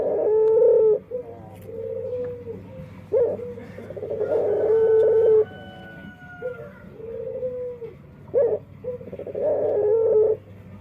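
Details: Dove with a curious voice repeats low bubbling coos interspersed with sustained whistled notes over about eleven seconds, phrases separated by short pauses in a quiet room.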